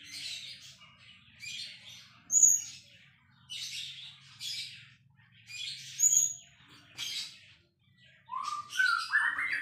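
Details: A champion white-rumped shama sings energetically: clusters of scratchy chatter alternate with brief piercing high whistles, ending in rising slurred whistled notes, phrases roughly every two seconds over a quiet low hum.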